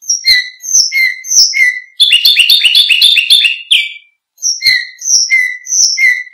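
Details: Canary song for coaching other birds: repeated downslurred whistled notes in a measured series, broken by a dense, fast rattling trill of ringing chirps, then the slurred whistles return.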